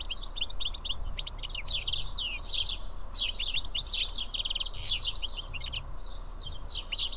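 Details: Seven house sparrows sharing food at Karyotissa, Greece, keep up continuous chirping and twittering, notes tumbling over one another without a break, above a quiet low drone.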